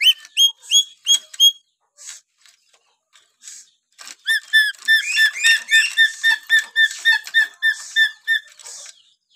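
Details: Natural whistling of a Papuan lory: a burst of quick, high, piping notes, a quieter pause, then a long, busy run of rapid, chattering whistles.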